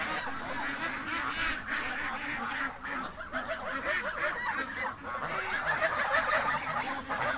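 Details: Female buff goose, domestic and free range, told apart as female by her short neck, heard on a night when coyotes were about; busy run of rapid nasal honks and chatter, several calls overlapping throughout, a man's voice greeting her nearby.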